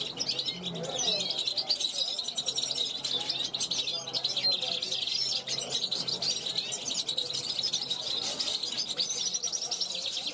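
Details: European goldfinch, young bird from 2021, calling from a balcony to wild goldfinches passing by; sustained high jangling twitter with quick trills and short buzzy phrases, faint low sounds underneath.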